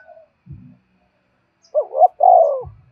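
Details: A spotted dove coos to lure wild doves, a short rising-falling note then a longer descending coo, preceded and followed by a low muffled thump.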